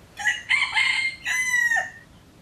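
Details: Junglefowl, wild chickens living at a pagoda near Teuk Chob Khnar Po Community Forest in Siem Reap, Cambodia, gives a close crow: a rough, broken opening, then a clearer drawn-out tonal phrase that drops off sharply at the end.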